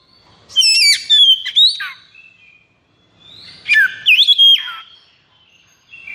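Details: 'Konslet' kacer song from an Oriental magpie-robin in high breeding condition: two separated bursts of sweet whistles, sharp chips and falling slurs, with quiet gaps between.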